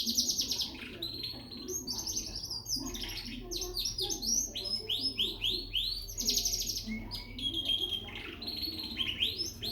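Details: Young frill canary from Peshawar in full song, a long varied warble of fast rolling trills, sweeping whistled notes and sharp chirps delivered almost without pause, over a low background hum.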